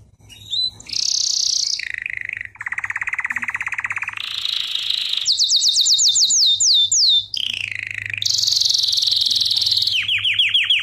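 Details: Canary song from a singing lesson for training, with a sequence of tours: high trills, a low rapid rolling trill, buzzy bursts, descending whistled sweeps and fast chattering repeats, all in continuous loud song.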